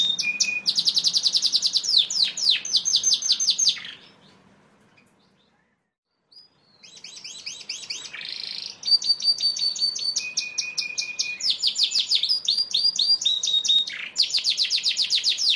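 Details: A Yorkshire canary, a posture breed bred from Lancashire and Belgian canaries, delivers fast high trills and rolling phrases with held whistled notes, a brief silence midway, then more rapid chirping tours.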